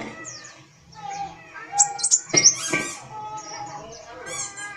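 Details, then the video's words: Brown-throated sunbird (kolibri wulung) singing busily with its tail moving: scattered thin, sharp high chirps and quick descending sweeps, set against steady lower background tones and murmuring. "Kolibri Wulung Gacor"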